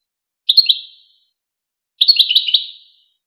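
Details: European goldfinch singing on the Wakr Touzgha tape, a recording meant to teach goldfinch chicks and hybrids. Two bright phrases a second and a half apart: a brief double chirp, then a longer rippling twitter, both with echoing fades.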